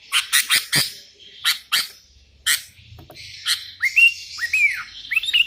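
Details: Sooty-headed bulbul calling out to rivals while wild bulbuls reply: a burst of harsh chattering notes, then several rising-and-falling whistled phrases near the end.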